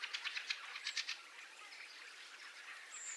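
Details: Fieldfare, during a fieldfare invasion, giving a harsh, dry chattering run of 'chack' notes for about a second, then quieter calls, with a thin high whistle from another bird near the end; a starling roost is audible in the background.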